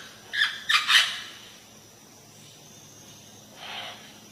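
An Indian parrot gives three harsh, grating screeches in quick succession, then one fainter squawk about three seconds later.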